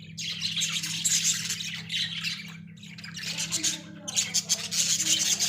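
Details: Caged Australian budgerigars kept as pets chatter with scratchy, high squawks and warbles in irregular bursts, over a steady low electrical hum.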